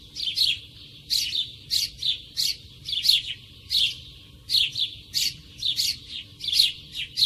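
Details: Sparrow calling close by, a busy run of short bright chirps and cheeps, often in quick pairs or clusters, about 87 a minute and loosely spaced, over a faint low background hum.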